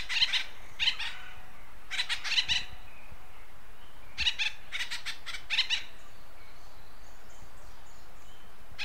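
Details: Acorn woodpecker of western North America calling in raspy, chattering clusters of two to four notes, several bursts early and a pair later, then quiet background for the last few seconds.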